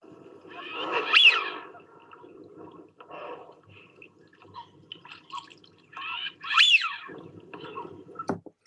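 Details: Eurasian wigeon, a familiar wintering duck in Sussex wetlands, gives its diagnostic call: two loud, clear whistles, each sharply rising then falling, about five seconds apart, over a low background hum.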